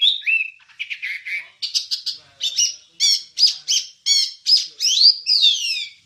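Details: Training recording of a wambie singing: bursts of sharp, high chirps delivered in quick groups, ending in a loud sweeping phrase that dips and rises.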